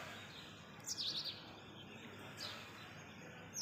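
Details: A blue rock thrush gives a quick burst of high twittering chirps, then a single short high note, over steady hiss; 08:28, 8 February 2021, ring road, Urun Islampur, Walwa, Sangli, Maharashtra, India.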